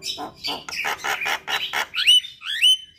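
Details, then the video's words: Loud Javan myna phrases: a string of grating squawks about every quarter second, ending in two rising, clear whistled notes. "Terapi Burung Jalak Stres Macet Bunyi"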